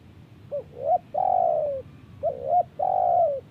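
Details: Spotted dove calling in answer to wild birds; two cooing phrases, each of short rising hoots followed by a long, drawn-out coo that sinks slightly at the end, over a low background rumble.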